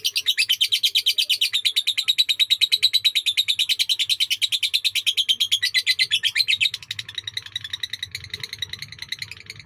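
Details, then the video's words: Sakera song of long duration from an Indonesian lovebird, loud, rapid, buzzy chirps in a steady run for about seven seconds, then quieter scattered chatter over a low hum. "Love Bird SAKERA durasi panjang"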